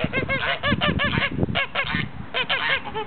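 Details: Blue and grey Toulouse geese honking in quick clusters; bright arched nasal notes come in groups of two to four, with short gaps between bursts.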